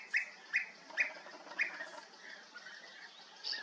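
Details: Group of European bee-eaters recorded at Bölcske, Hungary: loud, purring, trilled notes repeated at a steady half-second pace, then quieter, more distant rolling calls toward the end.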